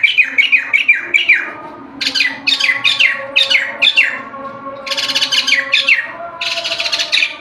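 White-crested laughingthrush giving loud, rapid runs of harsh descending notes in bursts, with chattering, squawky phrases repeated over several seconds.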